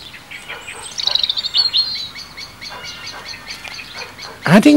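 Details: In July at Mount Grace priory grounds, a Eurasian blackbird alarm-calls at a stoat, betraying its presence: a rapid run of sharp, hard chinking notes with a thin high whistle early on, ending as a man's voice begins.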